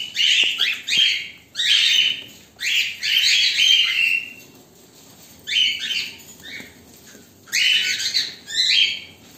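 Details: Black and white cockatiels waiting give loud, harsh, screeching calls in bursts of about a second, with short pauses between.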